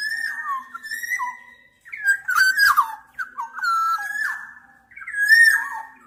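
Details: Black-naped oriole repeating clear whistled phrases about every second or two, each a smooth held note dropping into a quick lower slur, with a few brief harsher, grating notes mixed in.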